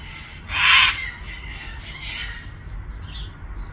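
A cockatoo gives one loud, harsh, raspy screech lasting about half a second, followed by two fainter scratchy squawks over a low background hum.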